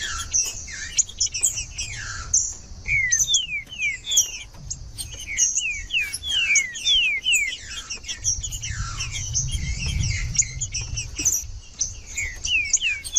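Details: Caged green-winged saltator in cold song, aimed at warming up other birds: long stretches of rapid falling whistles in bursts, heavy high chatter throughout, and a faint low rumble midway.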